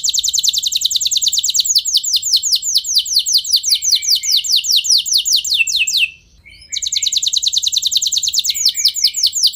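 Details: Canary song intended to set other canaries singing long rolls: continuous rapid trills of high downslurred notes, a short break just past midway, then the trilling resumes unchanged.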